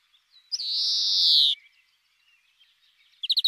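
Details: European greenfinch singing: a long, drawn-out buzzy wheeze lasting about a second and falling slightly at the end, then a quick burst of rapid high notes starting as the recording ends. No other sounds.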